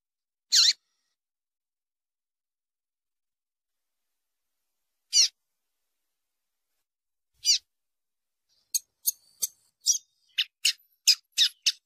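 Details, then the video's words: Female double-collared seedeater calls, played to stir caged males into song for tournaments: three single high, sharp chips spaced several seconds apart, then a quick run of about nine short ticking notes. The background is quiet. "PIADOS MACHEADOS FÊMEA DE COLEIRO ESQUENTA RÁPIDO"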